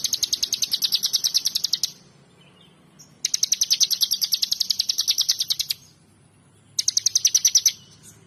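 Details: Ciblek (bar-winged prinia) giving gacoor song: three bursts of rapid, piercing, evenly repeated high chips, the first two near two seconds long and the last shorter, separated by brief silences.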